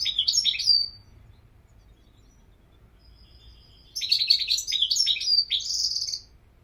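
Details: European goldfinch singing: a short burst of bright, liquid twittering notes, then a pause of about three seconds before a longer run of fast, tinkling, varied phrases. The background is quiet.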